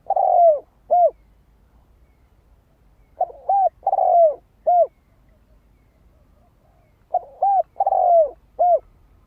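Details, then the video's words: Decoy-luring spotted dove song: deep, hollow coos in four-note phrases, two quick notes, a long sliding note dropping in pitch, then a clipped closing coo, the phrase returning roughly every four seconds against a quiet background. "Tiếng chim cu gáy kích mồi cực sung"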